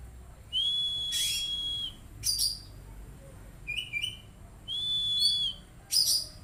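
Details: Oriental magpie-robin, a kept bird, singing: long pure level whistles alternate with short sharp high chirps, with a long whistle returning about every four seconds over a quiet background.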